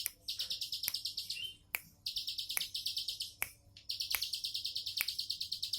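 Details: Four bursts of quick, high-pitched trilling from a bar-winged prinia singing 'tembakan' style, each lasting a second or more, with crisp clicks between phrases.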